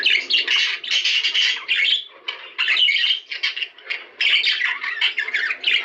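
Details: Budgerigars singing to stimulate mating: harsh, buzzy warbled phrases in bursts of one to two seconds with short breaks, scratchy squawks throughout.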